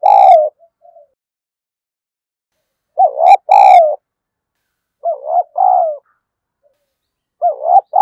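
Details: Spotted dove used as a decoy bird to provoke fighting: loud low cooing phrases, each a short hoarse coo followed by a longer wavering one, repeated about every two seconds over a silent background.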